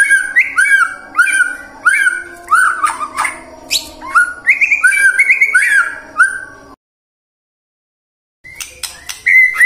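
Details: White-rumped shama song to prompt singing in the morning, midday and afternoon: varied, fast whistled and chirping phrases in quick succession, a brief silence, then the song resumes.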